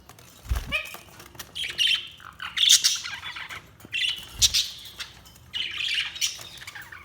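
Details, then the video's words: Budgerigars chirping in short bursts of bright, high warbling chatter, separated by pauses, with a low thump near the start and another midway. "Budgies Sounds| Budgies Chirping sound"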